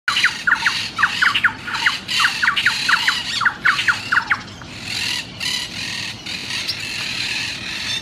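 Monk parakeets give rapid, harsh, grating squawks, several a second, merging into a noisy flock chatter with a steady hiss behind.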